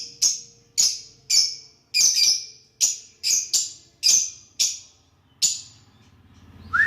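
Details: Lovebirds interacting with each other produce sharp, harsh squawks repeated roughly every half second, irregularly spaced, ending with a brief rising whistle.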